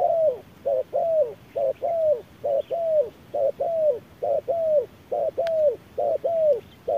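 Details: At midday in hard sunlight a wild spotted dove duels an electronic decoy, beak agape; very regular paired coos, a brief note then a longer downslurred one, repeated about ten times, one sharp click midway.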